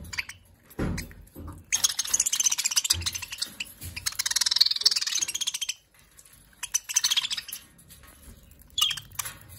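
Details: Australian king parrots fighting at breakfast feeding time screech and chatter harshly in dense, rapid bursts, then give scattered shrill squawks, with a few dull knocks in between.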